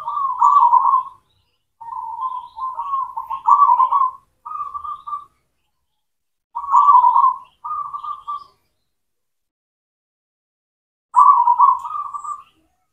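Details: Cooing of a local perkutut, the zebra dove, used as a lure for silent doves: several soft, trilled coo phrases in a cluster, then single phrases after gaps of silence.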